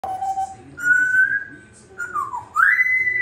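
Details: Pet African grey parrot whistling the Star Wars theme: a steady mid tone, then a higher held note, a falling slur and a final upward-sweeping held whistle, clear and pure in a quiet small room.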